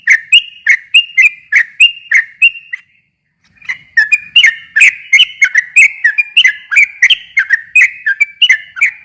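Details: Sooty-headed bulbul song used to provoke a silent bird into replying: evenly spaced whistled phrases, a clear gap of about one second, then a denser, faster run of slurred notes until the end.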